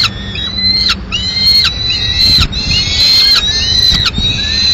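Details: At a Madrid peregrine falcon nest, 15 May 2016, the male delivers a live swift and the female kills it; grating, sustained wailing notes roughly once a second, steady in pitch, with a faint low hum beneath.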